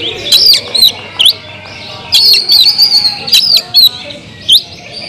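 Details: Oriental magpie-robin (kacer), singing loudly to provoke other magpie-robins; bursts of sharp whistled notes and rising-falling slurs, mixed with harsh broadband chips, in short phrases separated by brief pauses.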